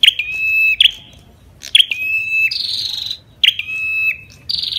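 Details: Ashy tailorbird song accompanied by female calls, steady level whistles after sharp downward notes, interleaved with buzzy rasping bursts, repeated about once a second.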